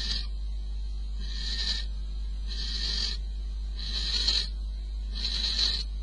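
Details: Before dawn at 04:45 on 22 May, a male barn owl delivers prey to the female at the nest; five rasping hiss-like bursts roughly every 1.3 seconds, with a constant low background hum.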